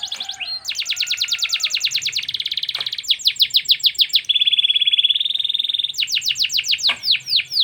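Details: Canary song from a panda-patterned and a yellow canary: fast buzzy rolls and trills of high notes, a steady sustained whistle-like roll, then quick downward-slurred notes in rapid series.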